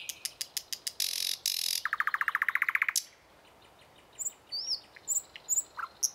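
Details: Thrush nightingale singing in the morning: sharp dry clicks, a harsh buzzy burst, then a fast rattling run of about a dozen loud repeated notes, followed by fainter high whistles from other birds.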